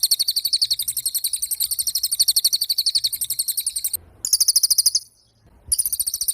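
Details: Cililin (pied fantail) in energetic song: long runs of rapid, high chattering notes, cut off twice by short gaps of silence before the fast trill resumes.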